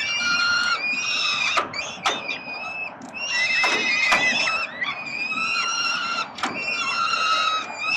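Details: Peregrine falcon nestlings begging as the male parent feeds them, Melbourne, Australia, late October 2021; shrill, harmonic screeching cries overlap in long bursts, broken by sharp clicks and thuds.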